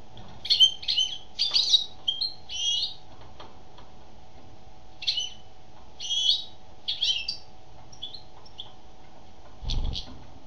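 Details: A female European goldfinch sings a rambling series of twittering, slightly buzzy phrases, short bright notes grouped in clusters with irregular pauses, about one burst a second, against a low steady hum.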